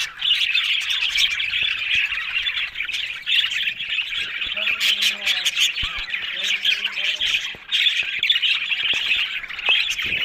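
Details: Budgies in busy scratchy chatter with squawks and chirps, plus a short stretch of lower, voice-like harmonic murmuring midway.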